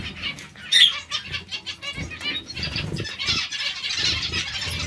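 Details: Many zebra finches in a colony give a busy chorus of short nasal beeps and chatter, with one louder sharp call near the first second and soft low fluttering or handling noise below.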